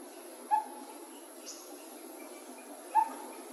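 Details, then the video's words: Coppersmith barbet calling in a relaxed manner, recorded in 2020: two single hollow tonk notes about two and a half seconds apart, with a faint high chirp between them and soft background hiss. "The Intense & The Chill Coppersmith Barbet"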